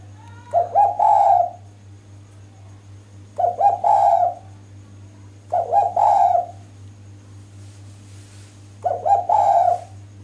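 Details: Loud female spotted dove calling to draw males in. Four hoarse, two-part cooing phrases come roughly every two and a half seconds. Each starts with a short stutter and ends in a fuller, rolling coo, over a constant low electrical hum.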